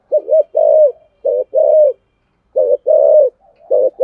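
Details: Calling spotted dove used as a lure: paired coos, a clipped note followed by a longer mellow coo, given three times in quick succession.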